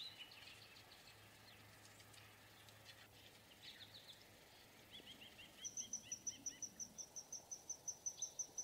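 A downy woodpecker gives a quick, high run of sharp, squeaky notes, about seven a second, for three seconds. Faint twittering from other birds sits underneath.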